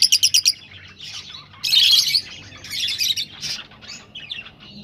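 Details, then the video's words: A rosella gives a quick run of high, sharp chips, then harsh, scratchy chattering bursts roughly every second, sounds used to stimulate rosellas to mate. "تغريد طيور الروز"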